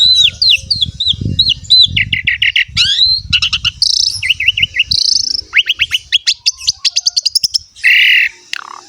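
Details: Chattering song of an Asian pied starling, played to prompt quiet or young starlings to join in: rising chirps, a fast series of clicking notes and buzzy bursts over a low background rumble.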